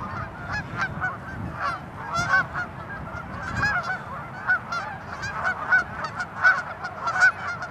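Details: A flock of tundra swans gives overlapping high, hooting honks, one or two a second, in a steady murmuring chorus over a low rumble. Recorded 16 March 2013 at Ninth Line, Mississauga, Ontario, Canada, among geese and ducks.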